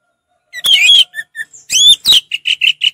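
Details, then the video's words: Orange-headed thrush, a kept songbird, in relaxed song; warbled whistled phrases, sharp clicks, then short whistled notes repeated about every fifth of a second. "Terapi ampuh Anis merah ngeplong santai"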